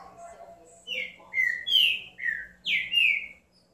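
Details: Green-winged saltator delivering a short run of five clear, loud whistles, slurred and slightly rising, the last note the highest and strongest, with faint softer chirps before the phrase.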